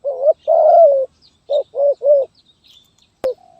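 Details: Zebra dove, or terkukur, in Gagap Tindan (Sepatah) style, 23 January 2022. A short coo and a long purring coo come first, then three clipped coos in quick succession and a sharp click near the end.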